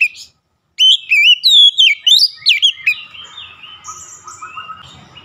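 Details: Kacer, the Oriental magpie-robin, singing for stressed birds: after a brief pause, a burst of sharp, rising-and-falling whistles tumbles out rapidly, then fades into softer, thinner warbling notes.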